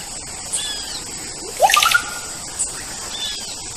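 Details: White-rumped shama master song: one loud, clear whistled phrase sweeping up and then down near mid-clip, with faint thin whistles before and after, over a steady high-pitched hiss.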